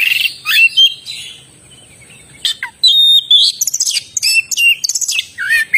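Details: Oriental magpie-robin in full, energetic song: loud sliding whistles and chirps, a quieter gap of about two seconds, then a fast, varied stream of sharp high notes and short whistled phrases.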